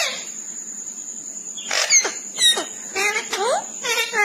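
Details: Parrot; mimicked speech; imitating human speech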